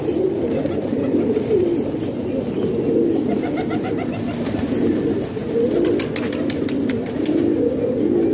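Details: Domestic pigeons kept in a house in Pakistan as a hobby, several birds giving low, rolling coos that rise and fall in overlapping phrases, with faint clicks and scratches throughout.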